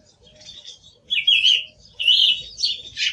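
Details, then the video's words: Song thrush song: short bright phrases high in pitch, louder ones after the first second, each a quick twittering burst separated by brief pauses. "Sonido del Zorzal Comun - Sturz cantator - TURDUS PHILOMELOS"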